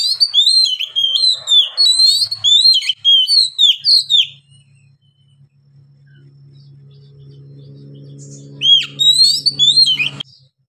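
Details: White-rumped shama singing a fast run of varied whistled notes, many swooping up or down and repeated about twice a second for four seconds, then a low steady hum before a second short burst of whistles.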